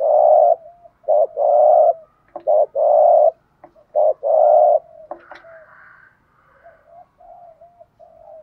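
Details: Spotted dove used as a decoy bird, calling to lure wild doves: loud, low hollow coos in a broken series of short and longer notes, followed by softer, quieter cooing and a faint higher tone.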